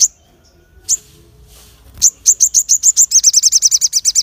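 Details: Crested jay giving a sharp provoking call meant to stir other birds: scattered sharp notes, then an accelerating string of about twenty piercing high chips, quickening toward the end.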